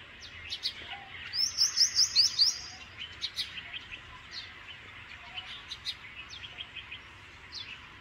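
A bank myna gives a quick run of six high, sharp chirps, against a busy background of scattered chirps and squeaks from other birds.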